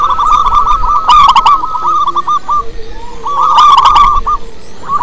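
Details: Zebra dove of local stock giving its strong lure song: a rapid string of clipped cooing notes that slows and spaces out, then resumes in a dense burst, with occasional clicks.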